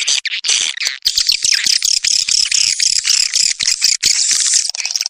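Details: Lure sound for edible-nest swiftlets, used to draw the birds in: loud, high, rasping twittering in long unbroken bursts separated by brief pauses.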